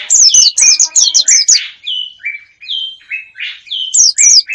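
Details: Bird lure sound for attracting wild birds, played to draw them in: loud, rapid chirps and downslurred whistles in quick bursts, then a string of evenly spaced falling whistled notes, with a fresh burst of sharp chirps at the end.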